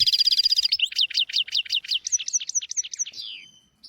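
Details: European goldfinch song for tutoring young goldfinches and canaries: a sustained high twitter sliding into a rapid, regular series of repeated chirping notes, about a dozen in a row, fading out at the end.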